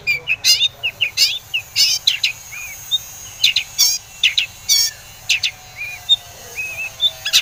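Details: Long-tailed shrike in lively song, used as a lure to make other shrikes answer and sing; harsh broadband bursts mixed with short slurred whistles, delivered in quick irregular runs.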